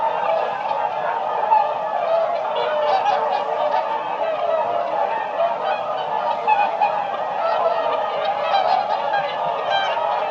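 A flock of whooper swans calling continuously, a dense overlapping chorus of loud, bugling, nasal honks with no pause.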